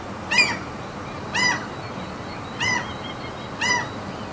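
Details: Seagull calls recorded at a Norwegian fjord amid mountains: four loud, nasal, harmonic squawks, roughly one per second, each slightly downslurred, over a constant low background hiss with a few faint high chirps between them.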